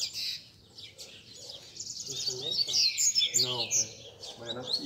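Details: A group of caged coleiros, Double-collared Seedeaters kept by bird keepers, sing together on a Sunday to warm up a competition bird. High, rapid, jumbled twittering runs throughout, overlapping with men's voices in the second half.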